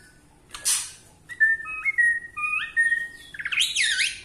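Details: White-rumped shama in Borneo style, singing to make other shamas angry: a burst of noise, then pure stepped whistles sliding between two pitches, building into a fast, rich, warbling flourish.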